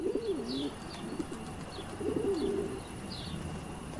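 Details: A pigeon nesting in a church bell tower in a small Austrian town in summer gives low, rolling, throaty coos in short phrases about once a second, with faint high chirps from small birds behind.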